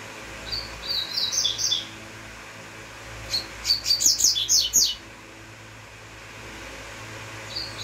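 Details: Double-collared seedeater, uruguayo song: a soft twittering phrase, then a loud run of sharp descending chirps repeated rapidly for about a second and a half, followed by quiet hum.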